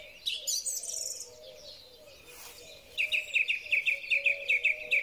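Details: In spring a song thrush sings a high, tangled phrase, pauses, then hammers out one short sharp note about a dozen times in a fast, even series; a low cooing hum continues underneath. Phone recording.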